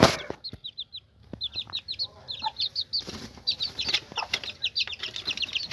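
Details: Hen with her chicks: loud steady high chick peeps in fast series, with a few low hen clucks and soft knocks.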